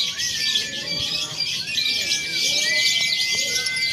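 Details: Simulated lovebird competition for training, mixing konslet, fighter and paud; dense piercing chatter with a long flat whistle and a few quick rising and falling slurs.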